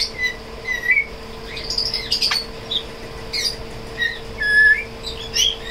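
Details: A tame African grey parrot, trying to talk and singing, gives scattered short whistles, chirps and a brief squawk, mostly high-pitched, over a steady low indoor hum.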